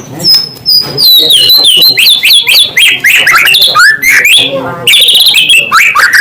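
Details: White-rumped shama song to trigger rival shamas: a long, dense run of high, fast whistles, trills and sharp chirps with hardly a break, ending in bright rising notes.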